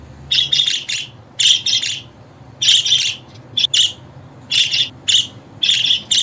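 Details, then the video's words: Budgerigar calling in bursts of two to four rapid scratchy chirps, each burst followed by a brief pause, repeated steadily over six seconds. "Muhabbet Kuşu Sesi, Kuşunuz Kesin Ötecek, Karşılık Verecek, Muhabbet Kuşu Çağırma Sesi!"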